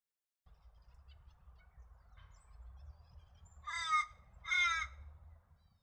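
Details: Torresian crow in the northeast of the New England region, NSW, Australia: two loud, harsh, nasal caws about a second apart, preceded by faint quieter notes, over a steady low rumble.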